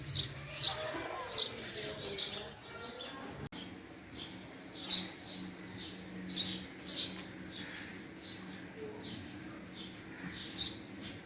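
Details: Male house sparrow giving a quick series of sharp chirps at first, then sparser, softer chirps spaced a second or more apart over a steady low hum.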